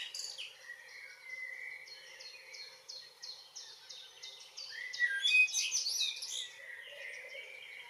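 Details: Common blackbird evening song on a June evening in Northwest Zealand, Denmark: low fluted warbling phrases, then a louder burst with high twittering, over a steady background of other birds repeating short high notes.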